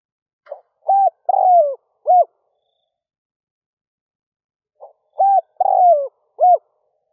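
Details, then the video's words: Decoy spotted dove cooing at dawn to attract wild doves, two identical phrases roughly four seconds apart: a faint lead note, steady low coo, long mellow descending coo, then a clipped final coo. "Tiếng chim cu gáy rút bổi nhanh về - kích bổi nhanh nổi"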